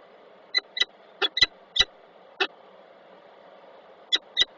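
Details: Peregrine falcons, a pair meeting inside their nest box at Koszalin, October 2024. There are nine abrupt, ringing notes, some doubled, with a gap of almost two seconds before a final pair, against a constant background hiss.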